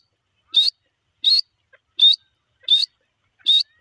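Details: Grey francolin, called teetar or dakni, repeating a short, high, slightly rising squeaky note about every 0.7 seconds, five notes in a clean, quiet recording.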